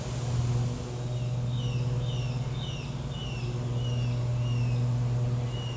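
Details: Osprey at North Coast Regional Botanic Garden, Coffs Harbour, New South Wales, Australia, on 24 October 2021, giving a steady series of short, high, downslurred whistles, roughly one every half second, over a loud low engine drone.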